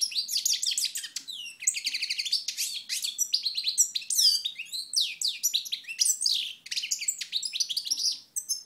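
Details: European goldfinch, Moknine, 2012: a continuous stream of quick, high twittering notes, sweeping chirps and rolling trills with barely a pause, clear against a silent background.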